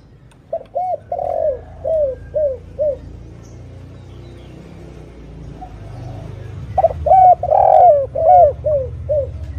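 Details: Spotted dove calling clearly as a lure to attract other doves: a series of short rounded coos, a pause filled with low rumbling background noise, then another quick run of coos.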